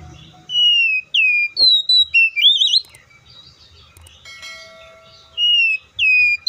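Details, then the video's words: Oriental magpie-robin song of bright whistles: falling and level notes leading into a quick looping rising trill. A pause with a soft ringing, bell-like tone follows, then the whistled phrase starts again. "THE BIRD COPSYCHUS SAUCARIS VOICES MUCH LONG LIKE IN NATURE!"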